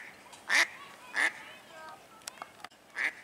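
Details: A female Mallard swimming around a marina in Lakefront Promenade Park calls noisily for unknown reasons: three loud, harsh quacks roughly every three-quarters of a second, with faint chatter and a few clicks between.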